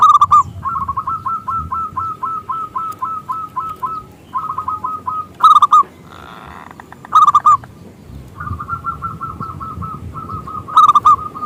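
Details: Strong-voiced local zebra dove, a lure for other doves: long strings of rapid repeated cooing notes broken by louder accented bursts, with a brief rushing noise in the middle and low background hum.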